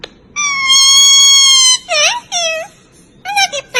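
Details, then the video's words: Blue-and-gold macaw kept as a pet, vocalizing indoors: a long steady whistle-like tone followed by several short bending squawky syllables with rising and falling pitch. "Macaw Parrot Amazing Talking"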